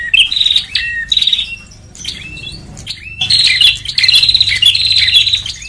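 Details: High, buzzy chirping phrases of a bar-winged prinia lure call, short bursts at first, then a busy, tumbling run of chirps toward the end.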